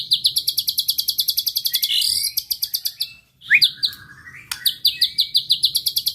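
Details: Rapid rhythmic series of high metallic chips, a sweeping whistle, a brief pause, then a rising slurred note and long flat whistle before more chip runs; white-rumped shama song meant to rouse rival birds.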